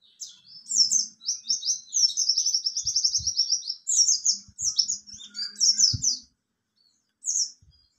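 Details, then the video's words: Buxtoni mountain white-eye in ngalas nembak mode: a long, continuous, rapid chatter of high chirps and tight trills, ending with a lone later note; faint low thumps and a soft hum beneath. "Pleci Bxtoni juga bisa Ngalas Nembak"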